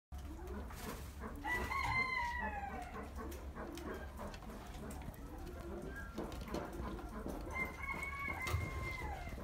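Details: A captive satyr tragopan in a breeding nursery gives two drawn-out, wailing calls that slide downward, several seconds apart, over steady low rumbling and scattered clucking from other fowl.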